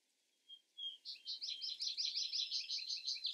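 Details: Song of a Vesper sparrow with a little background hiss. Two soft whistles introduce a long, even trill of repeated high, husky notes that grows louder toward the end.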